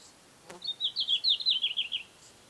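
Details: Red-flanked bluetail, summer visitor breeding in Hokkaido: one brief, bright, rippling phrase of quick wavering high notes sliding gradually lower, preceded by a single soft click, against a quiet background.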